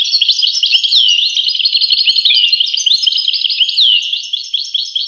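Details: Goldfinch song: rapid liquid twittering with bouncy, looping high notes strung together without pause, several curved downward swoops, and a tinkling, jumbled quality throughout; nothing else audible.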